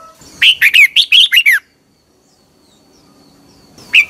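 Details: Red-whiskered bulbul morning song, recorded as decoy song for training captive birds: a quick burst of about seven loud, clear whistled notes over one second, then a long silence before a single bright note returns.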